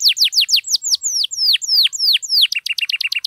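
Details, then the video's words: Singing canary used to draw out silent canaries: falling whistled slurs growing slower and longer, then a quick burst of short stacked chirps. "KENARI GACOR MANTAP DURASI PANJANG, AMPUH BUAT PANCINGAN KENARI DIAM LANGSUNG RESPON"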